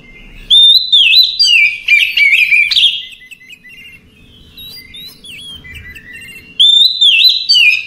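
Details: A relaxed night song from an Oriental magpie-robin: loud, varied whistled phrases with rapid chirps and slurs for about two seconds, a quieter interlude, then another bright whistled phrase near the end.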